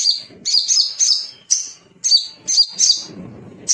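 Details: Little spiderhunter male calling rivals: short groups of sharp, high chirps repeated about every half second, with a soft low rumble near the end.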